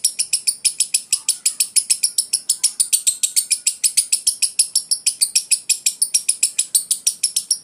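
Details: Long ngekek bout from a lovebird, 'konslet' style: a steady stream of high, scratchy, rattling notes repeated quickly and evenly for over seven seconds.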